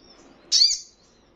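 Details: Crimson Sunbird in a training recording for caged birds, meant to make a listening bird answer and flutter its wings. A single sharp, high chirp sweeps down and fades within half a second, with quiet background.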